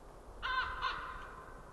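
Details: Ringed white-tailed eagle calling from a tree at the Nova winter feeding ground in Estonia on 20 January 2013, mid-afternoon: two short, harsh, harmonic yelps in quick succession, with a quiet background.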